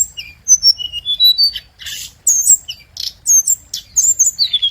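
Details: Scarlet minivet lure song, loud and close: piercing high whistled notes stepping down in short series, then rapid sharp chirps and squeaks packed tightly together.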